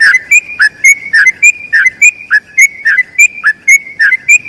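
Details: Rapid 'ropel' song from a yellow-vented bulbul, used to teach other bulbuls: regular couplets of a falling lower note and a sharp ringing whistle, roughly three to four per second, on a clean quiet background.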